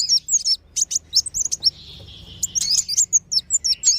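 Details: Lure sound for attracting wild sunbirds (kolibri wulung and sogon): clusters of piercing high chirps and whistles, broken midway by a soft, sustained thin buzz before the chirping resumes.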